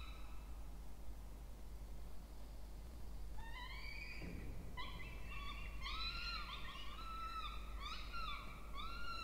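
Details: Peregrine falcon chicks, two, in a water-tower nest box at a university in Orange, New South Wales, Australia, begging during feeding on 20 October 2024; quiet opening, then rising harmonic squeals building into dense repeated wailing.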